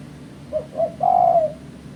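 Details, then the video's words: Call of a spotted dove, as used by bird trappers as a lure: a soft short coo, a second short coo, then one long, smooth, even-pitched coo over a low background hum. "Suara Burung Terkuku"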